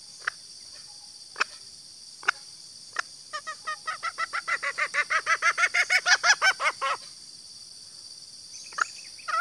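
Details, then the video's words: Female green junglefowl (Gallus varius) giving a male-luring call: a few isolated clicks lead into a fast, even train of about twenty nasal cackling notes that grows louder, then stops. Steady insect drone throughout. "suara betina ayam hutan hijau"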